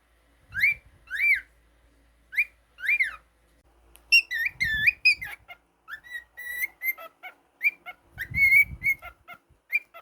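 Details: Male pet cockatiel indoors gives bursts of clear whistled notes, first arched rising-falling notes, then a rapid jumble of chirps and steady whistles repeated about every half second, with faint low thumps and handling noise.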